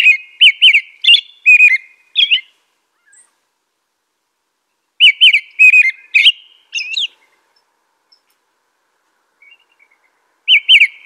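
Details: Repeated groups of short, fluty American robin phrases, five or six per burst, separated by silent gaps of a few seconds, with faint softer notes in between.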